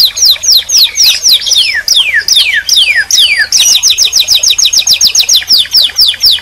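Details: A canary sings loud descending swept notes in a loose series, then switches to a fast, even trill of short high chirps.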